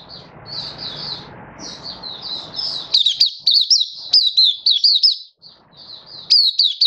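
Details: Malaysian white-eye in Singapore, 20 March 2023, stable warm sunny weather, singing 'buka' style: soft high twittering over background hiss, then loud rapid chains of looping whistled notes with short gaps.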